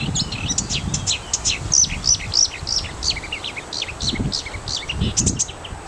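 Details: Marsh warbler (Acrocephalus palustris) singing in Ronald Reagan Park, Gdańsk Przymorze, Poland: a fast, varied stream of high chirps, trills and scratchy notes, about three a second, over a low rumble of wind.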